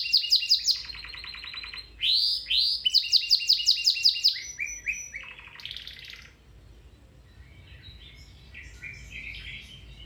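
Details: Domestic canary in full song, played to prompt other canaries to sing or improve their song: quick rolling trills, repeated rising slurred notes, a brief buzzy roll, then the singing fades to soft scattered notes.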